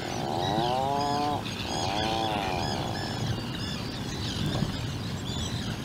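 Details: Atlantic puffin calls from a burrow on Seal Island, where a 2-day-old chick sits with its parents: two long, drawn-out harmonic growls lasting over a second each, followed by scattered high chirps and squeaks from other birds.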